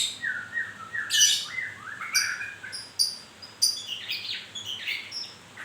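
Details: White-rumped shama during moult singing a series of wavering mid-pitched whistles broken by sharp high chips and noisy rasps, with rising whistled notes toward the end.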